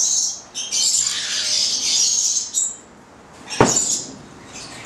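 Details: A nine-month-old Italian pair of Charmosyna goliathina lorikeets gives high, harsh screeching bursts in two main runs, with a brief sharp click near the end of the second pause.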